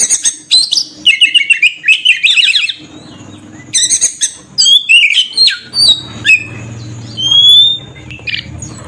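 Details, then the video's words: Oriental magpie-robin song used as a lure to attract birds: rapid chattering phrases and sharp chips, then a quieter stretch with low hum, followed by clear whistled slurs and a long rising whistle. "suara burung Kacer...kicau pikat terbaik...||suara pikat Kacer ||pancingan kacer"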